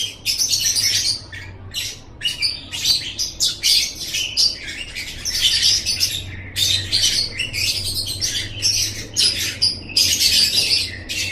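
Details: Masteran recording of lovebird song from Indonesia: continuous high, buzzy twittering delivered in clustered bursts with short breaks, steady and lively throughout.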